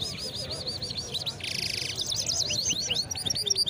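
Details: A Moroccan wedani hybrid songbird (called maestro or miso) at the Souk Laayoun Kriaa bird market in Casablanca sings quick, high, looping whistled notes, several per second, broken by a short buzzy trill, over faint market murmur.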